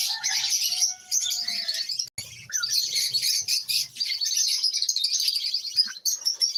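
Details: Several lovebirds kept as household pets twitter continuously in high, buzzy, overlapping chirps; a lower thin whistle sounds at the start.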